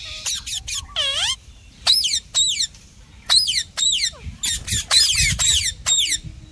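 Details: Chirping parrot giving loud, bright, downward-sweeping harmonic chirps in short clusters, about forty a minute and unevenly spaced, with one longer warbling note near the start and a faint low hum underneath.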